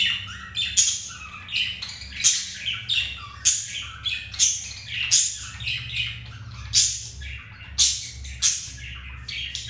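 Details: Pet budgerigars mating, male with a second female after refusal by the first; steady series of sharp squawking notes about every 0.7 seconds, scratchy and high.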